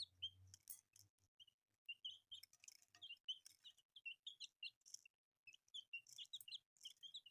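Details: Colourful newly born chicks give repeated high chirps, some doubled, in uneven runs. Low humming is heard at the start, with intermittent sharp tapping noises.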